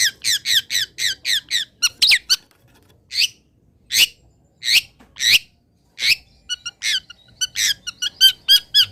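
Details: Long-tailed shrike, a local Indonesian bird used as master song material, giving a fast series of harsh, high, evenly spaced notes, then a gap, then scattered single squeaky calls building into another quick rapid series.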